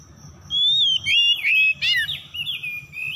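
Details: Oriental magpie-robin song played to encourage silent birds to sing: one long clear whistle gliding slightly down, followed by buzzy, scratchy notes and softer trailing whistles.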